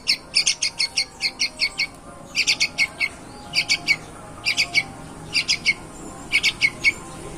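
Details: Very actively singing yellow-vented bulbul, presented as superior breeding stock, delivers bursts of quick, sharp chattering notes in groups of three to eight, separated by brief pauses, against a low hum.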